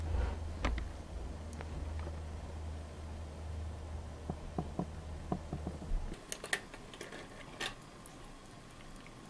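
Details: Indoor room with a low fan hum for the first six seconds, then scattered sharp clicks and taps like keyboard typing; no animal voice.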